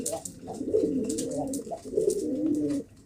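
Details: Drawn-out, throaty pigeon coos in two sustained rolling phrases, ending abruptly near the third second.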